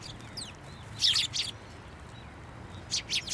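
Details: Sparrows gathering at a narrow post to be fed at a Tenmangu shrine on 22 January 2024; two bursts of sharp, high chirps, a quick cluster near the start and another near the end, over a quiet low hum.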